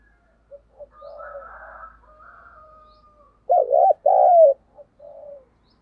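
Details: Decoy spotted dove cooing to attract wild doves: two soft short notes and a quiet coo, a thin whistled tone, then a loud throbbing double note and a long falling coo, ending in softer trailing notes.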